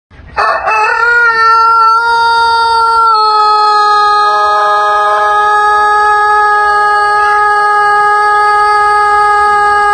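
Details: Rooster giving an extended long crow: a brief rough opening, then a single loud, steady, clear-toned note held almost unbroken for about nine seconds, with a slight step down in pitch partway through.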